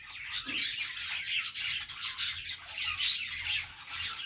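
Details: Pet budgerigars at play give a dense, continuous stream of bright chirps and scratchy squawks, overlapping and rising and falling in loudness with no pauses.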